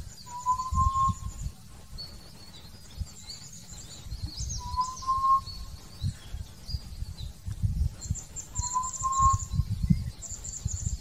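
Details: Hill partridge (Arborophila torqueola) singing: three clear, mellow whistles, each slightly rising, about four seconds apart, while other birds chirp high above and wind rumbles low.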